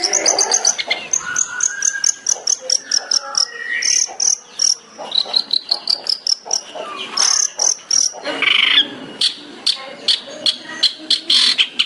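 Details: Long-tailed shrike tembakan song used as a master recording for training songbirds. A long varied medley of rapid ticking runs, thin high whistles, buzzy trills and harsh chatter, delivered almost without pause.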